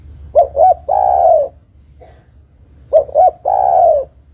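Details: ['Female spotted dove calling the male, a lure for reluctant males: two phrases, each of two quick hollow hoots followed by a long, throaty coo that sinks slightly, with a pause between them.']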